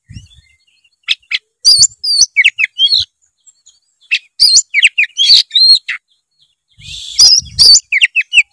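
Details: Loud white-rumped shama song meant to spur a lazy young bird into song: clusters of high, ringing whistles and sharp clicks, in phrases separated by pauses, with low rustling beneath.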